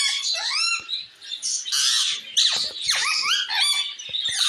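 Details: Calls of a parrot addressing another parrot: stacked whistled upsweeps, then a loud hissing screech, followed by downward-sliding squawks and rising whistles, harsh and high throughout.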